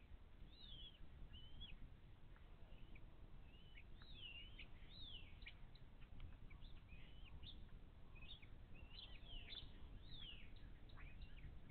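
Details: Live nest cam at the Little Miami Conservancy on 11 April 2023, with bald eagles feeding chicks on fish as the older chick blocks its sibling. Many high, falling chirps and squeals scatter throughout over a constant low rumble.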